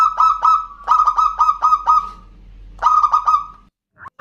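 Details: Local zebra dove in full voice singing the ndudut variation style, used as a lure to provoke and call in a rival: clusters of loud, rapid, clipped cooing notes separated by a pause of nearly a second, then another tight cluster.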